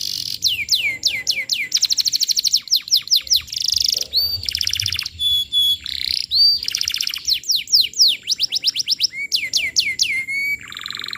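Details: Canary song used as a lure recording for training young canaries, energetic and continuous: rapid rolling trills, repeated downward-sweeping whistled notes in quick series, buzzy bursts and sharp high chirps, with a steady high whine in the background.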